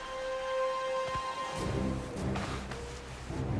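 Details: Orchestral music with sustained tones and low swelling chords; no animal voices can be heard.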